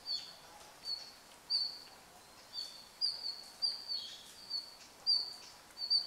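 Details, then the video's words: Wintering red-flanked bluetail calling on 24 November 2012: a series of sharp, high, clipped notes at uneven intervals of under a second, each a brief tick, with soft hiss throughout. "冬の ルリビタキ "Tarsiger cyanurus" の鳴き声"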